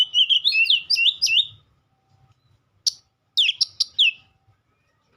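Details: Oriental magpie-robin opening with a rapid tumbling phrase of chirping whistles, then falling silent before several short, sharp high notes scattered across the remaining seconds.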